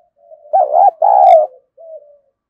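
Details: Decoy spotted dove with a prized 'thunder' voice: two strong, buzzy cooing notes, the second longer and steadier, followed by a faint falling coo after a brief gap.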